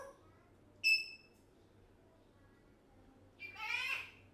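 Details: One-year-old African grey parrot at home: a single brief pure whistle, a pause, then a harsh buzzy rasping call.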